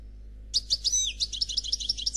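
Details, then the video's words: Khalwi song, faultless, from a European goldfinch described as 'Noir': following a moment of quiet, a swooping whistle then a quick regular string of bright high tinkling notes, with a steady low hum behind. "Chardonneret Noir Khalwi Chant sans fautes"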